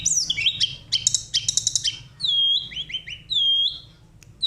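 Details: Sunda robin singing hard in a rolling, flute-like style intended to excite other songbirds: rapid buzzy chatter first, then long smooth whistles and short descending slurs, with brief pauses between phrases.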